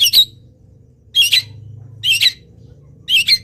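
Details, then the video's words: Local long-tailed shrike singing a song filled with imitations of wild birds while still moulting; four harsh, raspy double bursts, roughly one per second, with a faint low hum between them. "CENDET GACOR FULL ISIAM BURUNG LIAR"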